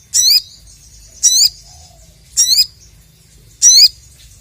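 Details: Crested jay calling against a rival, repeating a loud, harsh, buzzy, wavering high note four times about once a second.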